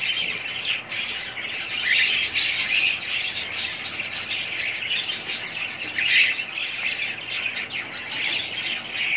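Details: A family group of budgerigars keeps up a dense, unbroken twittering: buzzy warbles, rapid clicks and short whistled notes overlapping, swelling louder in bursts around the middle and later.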